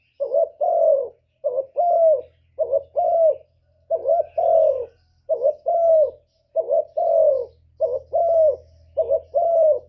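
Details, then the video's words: Lure coos of a decoy spotted dove, meant to make wild doves coo and turn aggressive. Continuous series of low, mellow double coos, short then long, with a faint low hum beneath. "CU gáy Mồi Cực hay hạp bổi thúc gù bổi ghét, tiếng chim cu cườm, cu đất"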